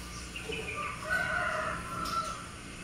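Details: Albino sooty-headed bulbul, a rare bird with white plumage and red eyes, giving a warbled, slurred phrase of mid-pitched notes with a brief steady whistle, over faint background hiss.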